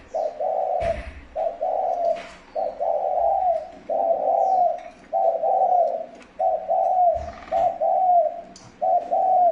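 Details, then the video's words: Spotted dove calling as a lure for wild doves: a long series of loud, low, hollow coos repeated about once a second, with occasional clicks and knocks in the background. "Tiếng chim cu gáy gù gọi hay cực chất dùng kích bổi gù kich mồi"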